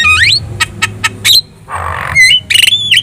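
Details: Javan myna in lively, chatty gacor song, played as a tutor recording to make other birds respond: rising whistled slurs, three sharp clicks, a harsh buzzy rasp, then high whistled and warbled notes.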